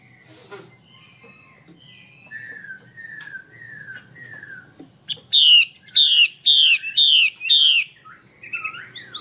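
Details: Female Chinese hwamei call for getting males to sing; a string of soft falling whistled slurs about once a second leads into five loud rasping notes at a steady half-second pace, then light whistles.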